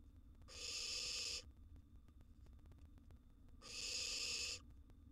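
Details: Two long, noisy, breath-like hisses about three seconds apart from a wild barn owl chick in its nest box as it swallows a big gerbil, with a quiet mains hum underneath.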